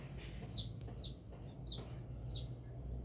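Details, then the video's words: Sunbird singing vigorously in Binjai, a quick string of piercing high chirps, each dropping in pitch, spaced unevenly with a low background hum. "Burung kolibri gacor"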